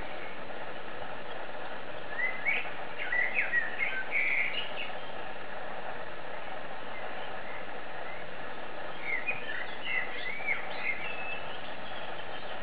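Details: Perched on a branch, a Eurasian blackbird delivers mellow warbled phrases: a fuller run of fluty, twisting notes early on, then a looser, scattered phrase near the end, with constant low rumbling noise beneath.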